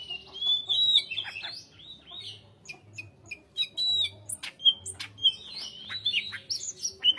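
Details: Greater green leafbird delivering a lively song of clear whistles, falling slurs and clipped chip notes in irregular bursts, with a faint mechanical hum underneath.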